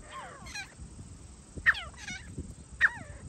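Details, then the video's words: Grey francolin on a hunt gives clear harmonic notes that sweep downward, with two loud sharp clicks a second apart, over faint low background noise. "teetar awaaz"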